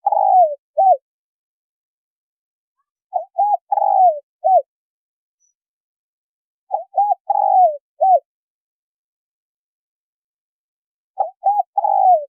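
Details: Hen spotted dove giving a call meant to stimulate a male: four repeated phrases roughly every 3.5 seconds, each two quick coos, a purring downslurred coo and a brief final hoot, in a clean, quiet recording.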